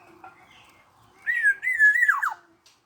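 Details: Black-naped oriole, 21 years old, singing persistently: faint soft notes give way to a loud, mellow whistled phrase that holds steady, wobbles, then tumbles down in quick falling notes.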